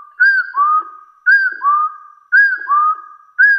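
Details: Wild hill partridge giving its fighting call to challenge rivals: clear whistled two-note phrases, a short rising-falling note then a longer rising, held note, repeated about once a second, four phrases, no other sounds.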